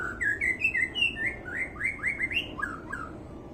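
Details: White-rumped shama singing in a manner called strange: a rapid, unbroken run of varied clear whistled notes, some slurring upward and others dropping, delivered in quick succession over a low, steady background hum.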